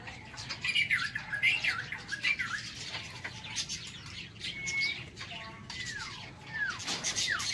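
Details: White-rumped shama in an aviary singing in the morning, looping warbled phrases early on, then a sustained flat whistle and several descending swooping notes, with clicking and rustle throughout.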